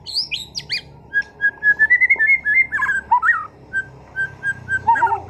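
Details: Captive contest-class white-rumped shama from Sragen, Indonesia, singing vigorously and showing off its repertoire. It delivers a flowing run of clear whistled notes, some sliding up, some dropping, over a faint low hum.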